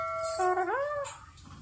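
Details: A hill parrot (pahadi tota), taught to talk, says "Har Har Mahadev" in a harmonic, voice-like tone with a smooth upward-bending middle, indoors. A person speaks the same phrase around it.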